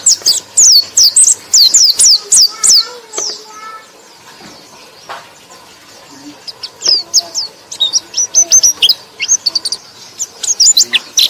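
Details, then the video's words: White-eye song used as a lure to stimulate sluggish white-eyes: bursts of thin, very high twittering notes, rapid and uneven, with a quiet pause between two chattering runs. "KICAU BURUNG PLECI"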